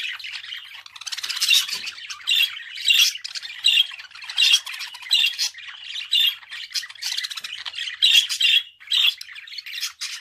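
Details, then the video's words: Long unbroken budgerigar warble: rapid scratchy chatter with rhythmic louder buzzy squawks recurring roughly every half second to second, full of rasping, noisy texture throughout. "Kuş sesi - Muhabbet Kuşu"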